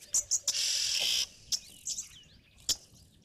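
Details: Yellow-billed oxpecker (Buphagus africanus) at a waterhole in the Sabi Sand, 5 January 2024, giving a harsh, hissing rasping call lasting most of a second with short scratchy notes around it; this call alerts to nearby mammals.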